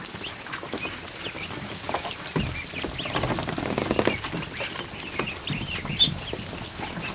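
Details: Newly hatched ducklings, more than a hundred, swimming together in a kiddie pool in a barn one afternoon; a dense chorus of high, short, slurred peeps over steady splashing and rustling water.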